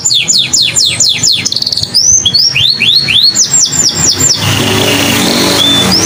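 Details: Canary song played to stimulate female or male canaries and young birds to sing: a series of swooping, rising and falling whistled notes about four per second, a brief trill, then a noisy hiss with a faint whistle.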